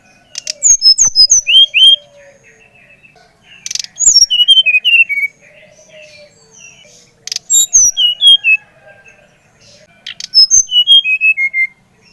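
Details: Bali-type brown-chested jungle flycatcher singing to rouse another bird into song: four phrases, each a fast cascade of high whistles falling in pitch, repeated every three to four seconds.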